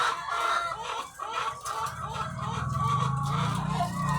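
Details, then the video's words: Thousands of egg-laying hens on a farm: a dense, overlapping chorus of clucks and drawn-out cackles, with a low mechanical hum rising from about halfway through. "The Sound of Thousands of Egg-Laying Chickens"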